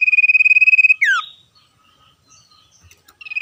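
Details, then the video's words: Common iora singing in the 'ngetir' trilling style: quick even pulses on one high pitch, a tumbling descending slur, a quiet pause with soft faint chirps, then the next trill beginning. "sirtu cipoh gacor ngetir suara asli alam liar"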